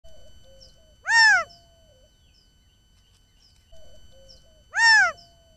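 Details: A male quail on an Arizona desert trail camera, possibly trying to locate his family, gives two loud, harsh, arched single notes about three and a half seconds apart; faint thin whistles and a steady high hum behind.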